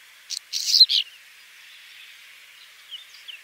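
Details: Whinchat giving a single brief, dense burst of harsh, chattering and whistled notes lasting about half a second, followed by quiet with a few faint distant chirps.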